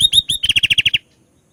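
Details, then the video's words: Sooty-headed bulbul phrase: three swooping whistles opening straight into a rapid run of about eight even, clipped notes, then silence. "BURUNG KUTILANG GACOR MUNTAIN ISIAN, COCOK UNTUK MANCING EMOSI...!!!"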